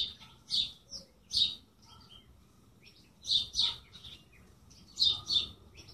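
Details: Bird chirping in short high notes, single and paired, spaced by quiet gaps, with a faint low background murmur.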